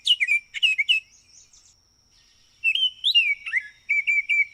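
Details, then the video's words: Baltimore oriole giving clear whistled notes, some slurring up and some down, in two quick bursts separated by a pause of about a second, with a steady faint high tone behind them. "Baltimore Oriole Call and Sounds"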